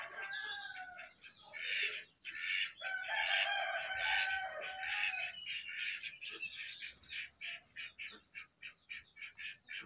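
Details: Jongkangan on top of its cage pours out a loud, dense, harsh chattering song with grating buzzy phrases, breaking into a string of short clipped chirps toward the end.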